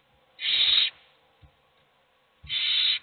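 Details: Two rasping hissed screeches from hungry owl chicks begging in a nest box, each about half a second, two seconds apart, with a faint soft tap between.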